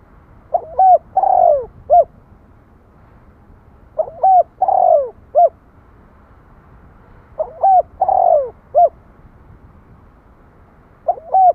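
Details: Spotted dove repeating its coo phrase every three to four seconds, four times: brief double notes, a long downslurred coo, then a single clipped note, over light background noise.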